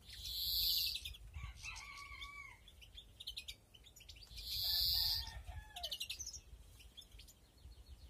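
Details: European greenfinches at nest in a breeding aviary, 2021; two loud, long, drawn-out buzzy wheezes about four seconds apart, with rapid twittering ticks and lower whistled downslurred notes between them over a low hum.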